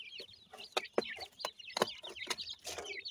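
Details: Feeding black francolin chicks of the Pakistani type give rapid overlapping high peeps, with several loud broadband taps mixed in.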